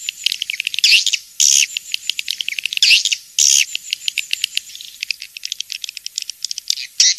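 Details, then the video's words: Swiftlet lure sound of the King's Star style for swiftlet farming: high, squeaky chirps and short buzzy bursts, loud at first, then a looser run of quick ticking clicks before a final burst. "Suara Walet King'S Star"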